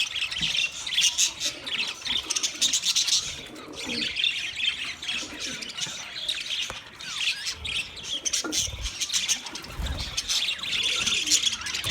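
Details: Budgerigars chirping, offered for a lonely bird: a dense, continuous wash of high scratchy chirps and squawks from many birds at once, rising and falling in waves of loudness, with a few lower warbled notes underneath.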